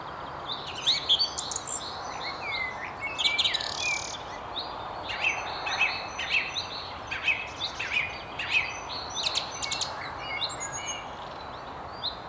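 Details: Song thrush perched at the very top of a tree beside the River Tyne near Haddington sings bright, varied phrases of chirps, trills and clear whistles in short bursts, with other birds calling faintly around it.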